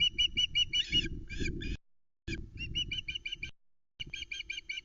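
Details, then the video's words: Juvenile osprey screaming for fish as the male arrives with a headless flatfish, Loch Arkaig nest, 17 August 2020: three bursts of rapid, piercing shrieks separated by short silences, over rustling and wind on the nest camera. "Vociferous Vera gets a fish delivered to the Loch Arkaig Osprey nest"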